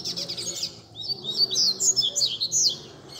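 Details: Caged coleiros (double-collared seedeaters) singing as a group at a bird keepers' gathering to warm up a competition bird: a quick, bright burst of high chirps and twittered trills, several birds overlapping.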